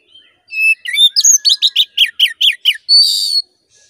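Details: Song of an oriental magpie-robin, played to rouse aggression in a caged male: short whistles then a quick run of about nine sharp descending notes, ending in a harsh buzzy rasp.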